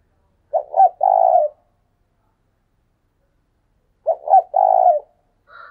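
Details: Decoy spotted dove giving thúc sung calls: two identical low coo phrases about three and a half seconds apart. Each has two quick throaty notes and a longer vibrating note, and a faint higher tone starts at the end.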